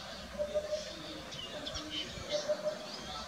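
Eurasian Hoopoe giving two soft, hollow triple hoots, 'oop-oop-oop', about two seconds apart, with faint higher chirps of other birds behind.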